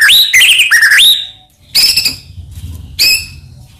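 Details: White-rumped shama song as a lure against other shamas: clear rising and falling whistled phrases for a second, followed by two short bursts of high notes with gaps between.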